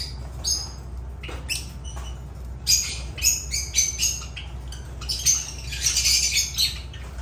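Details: Lovebirds (Agapornis) with sharp, high chirps and squeaky squawks, scattered at first and then building into busy overlapping chatter toward the end, against a low steady hum.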